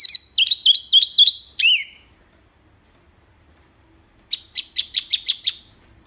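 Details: Wambi mini singing tembakan, recorded as a tutor for caged songbirds: quick, high, kinked whistled notes and one longer falling slur, a two-second pause, then a tight run of about six sharp chips.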